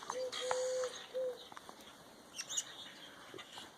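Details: Mourning doves on a farm property on a snowy April 17, 2020, after a late snowfall: soft, low, hollow coos, a brief note, a longer drawn-out one, then another short one, followed by thin high chirps from other birds.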